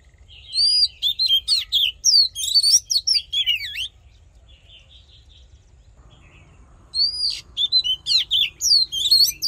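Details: Male-rousing fighting song of an Oriental magpie-robin, for voice training: dense run of sharp, fast whistles and slurs for about four seconds, a quiet gap, then a fresh energetic burst.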